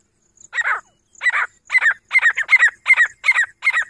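A female Grey francolin gives eight harsh, rasping notes, speeding up to about two per second. No other sounds are heard.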